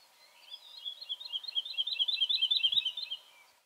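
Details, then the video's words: Woodlark singing a rapid run of sweet, liquid, swelling and repeating notes for about three seconds over a faint steady hum, in hot weather around the time pomegranates are fattening on the trees. "El canto de la Alondra Totovía"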